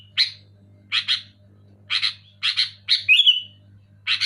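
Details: Sooty-headed bulbul in clear, loud voice, used to rouse quiet bulbuls: spaced harsh chips, often doubled, at roughly half-second gaps, then a bright squeaky trill sliding upward and back down.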